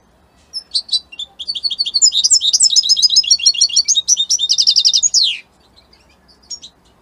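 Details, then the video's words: Italian-type European goldfinch singing strongly: a long unbroken stream of rapid, high twittering and jingling notes with buzzy trills, ending in a sharp downward-sliding note, followed by quiet and a single faint chirp. "من أقوى تغاريد طائر الحسون الجميلة الحسون ايطاليا"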